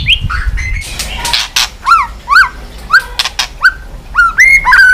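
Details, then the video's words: Caged white-rumped shama beating its tail on the perch floor: loud clicks and rustling, then well-spaced whistled notes, each rising and falling, ending in richer looping whistles. "chòe lửa tạch đập đuôi sàn cầu dùng kích lửa cho chòe lửa lên lửa cực nhanh hót"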